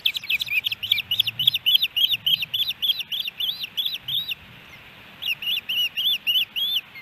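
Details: Osprey calling at its nest in Hellgate Canyon near Missoula, Montana, July 2018, on a three-fish day: a quick string of about thirteen high whistled chirps, a short silence, then five more.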